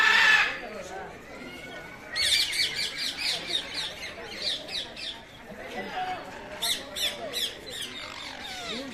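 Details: Rose-ringed parakeets (Psittacula krameri) give harsh, high, rasping screeches in quick repeated bursts, several to a second, in two bouts over a faint outdoor hum.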